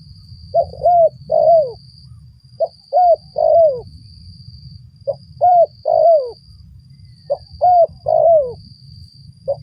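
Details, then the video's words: A spotted dove recorded during trapping gives four coo phrases, each a short note, a rounded double note and a longer descending coo, spaced roughly two seconds apart, against a low hum and a thin high-pitched tone. "mikat burung tekukur"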